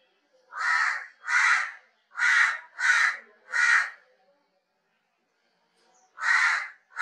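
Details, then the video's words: A crow gives harsh, hoarse caws, five in a quick series about two-thirds of a second apart, then a pause before two more. "कौवे पक्षी की ध्वनि - crow call & voice"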